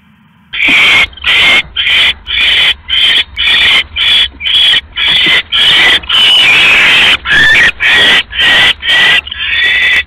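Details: Owl at a nest on October 5, 2015, 3:40 AM, as the male brings another rat; the female casts a pellet and takes the rat to a feeding tray. Harsh, hissing rasps repeat about twice a second after a brief quiet start.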